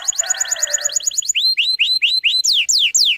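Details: Canary trigger song meant to start young canaries singing. A fast, high chipping trill over a low buzzy warble gives way to loud, repeated rising whistles. Slower, steep descending whistles close the phrase.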